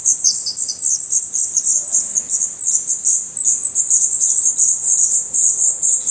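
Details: Continuous shrill twittering from a nest of Black redstart chicks in Portugal whose eyes have opened and whose true feathers are growing, with the high notes run together into a near-unbroken buzz.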